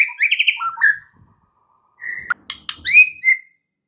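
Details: Varied whistled shama phrases, used to coax other birds into song, with short trills and slurred notes, a pause, then sharp clicks and a rising whistle; quiet between bursts.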